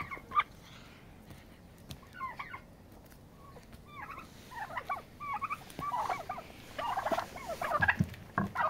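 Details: Turkeys fighting to establish dominance and a pecking order; short rapid descending yelps and gobble-like bursts come in scattered clusters, growing denser and louder toward the end, with thumps and scuffling noise.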